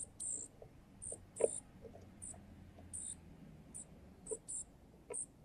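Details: A male junco feeding a baby junco at a balcony feeder; the young bird gives insistent high-pitched squeaky notes, some longer and some clipped, with occasional soft knocks and clicks.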